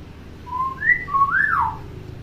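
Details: Tame hill myna that mimics speech and other sounds: a short two-part whistle, a level note jumping higher, then a rising, swooping and falling slurred whistle, loud and clear over faint low hum.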